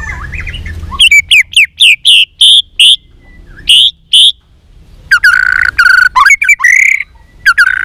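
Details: Many-voiced contest song of a white-rumped shama in training: a string of loud, evenly paced paired notes, a short pause, then a dense, harsh, buzzy phrase and a final note.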